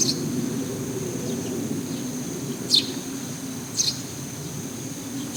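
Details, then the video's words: A single Eurasian tree sparrow, apparently the same bird that keeps calling from a roof lately, gives three short, sharp high chirps spaced one to two seconds apart over a steady low rumble and a faint continuous high tone. "スズメの鳴き声 Eurasian Tree Sparrow"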